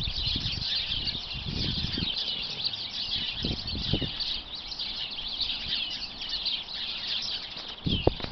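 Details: About twenty sparrows hidden inside a bush make a dense chorus of continuous chirping, a busy overlapping chatter of short high notes, with low rumbling thumps and faint background noise.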